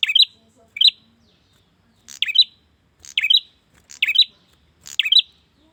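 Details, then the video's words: Prinia male calling a female, giving crisp high twittered phrases: a bright burst of two or three rapid notes, spaced irregularly about a second apart, against a quiet background. "Pancingan suara burung prenjak jantan memanggil betina"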